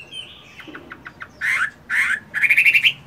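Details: Caged Chinese hwamei singing at morning practice during moult: a few soft clicks, two harsh buzzy bursts, then a fast ringing trill of bright whistled notes.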